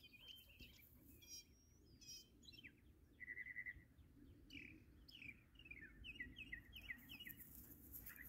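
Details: Local mockingbird imitating many different noises, giving a varied sequence of short whistled and chirping phrases, some repeated several times in quick succession, faint against a low background hum.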